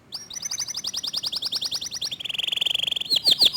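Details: Local canary in fast, dense song with a clear voice: a long series of quick repeated high notes, a lower buzzing rattle-like trill, and a final few loud sweeping whistles.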